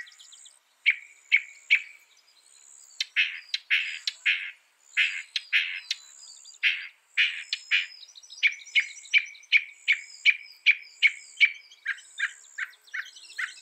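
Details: Northern mockingbird song, a bird said to copy up to 200 sounds, used as training audio for songbirds: bursts of sharp notes near two to three kilohertz, each phrase repeated several times in quick succession, with high buzzy trills above.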